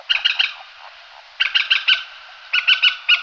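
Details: Common moorhen (Gallinula chloropus) giving short, harsh, clipped notes in quick clusters of three to four, heard in three bursts about a second apart, with a faint background hiss.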